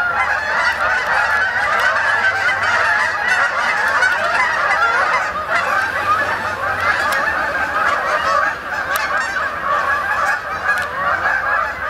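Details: Many Canada geese arrive to spend the night on the main pond at Sapsucker Woods, New York, in late October 2017, keeping up a loud, dense chorus of honking for the whole stretch, easing slightly toward the end.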